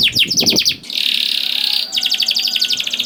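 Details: Vigorous canary song for coaxing quiet canaries to sing: a quick stuttering trill, a steady buzzy roll of about one second, then another fast rhythmic trill.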